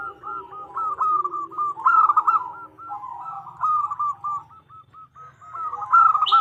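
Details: Female zebra dove calling a male: rolling, stuttering runs of quick coo notes with slight pauses between bouts, and a short higher buzzy note at the very end.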